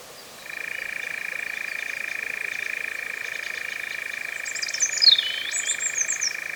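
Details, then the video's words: European Nightjar churring in the Cefn Ddu forestry of North Wales, UK, first one logged in 2026 using a Zoom F3 drop rig: an even, unbroken reeling trill starting after half a second, with sharp whistled bird notes late on. "First Nightjar recording of 2026 in the Cefn Ddu forestry, North Wales, UK"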